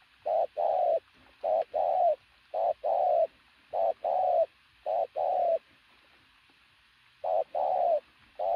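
A pigeon gives loud, low cooing notes in short paired bursts, about one per second, with a pause before the pattern resumes.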